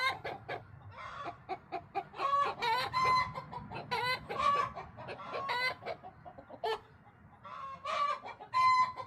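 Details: Talkative backyard hens, bantam and silkie chickens among them, give rapid clucks interspersed with drawn-out, harmonic cackling squawks and a few thin whistled notes, coming in bursts across the recording.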